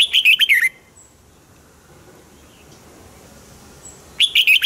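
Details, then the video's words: Red-whiskered bulbul in a cage, song for exciting other caged birds: a fast burst of chirpy whistled notes, a long quiet pause, then a second similar burst at the end. "นกปรอดหัวจุก | เสียงนกกรงหัวจุก ขวัญใจสายเบิ้ลอาชีพ ฟังแล้วคึกเหมือนเดิม นกไม่คึกห้ามฟัง"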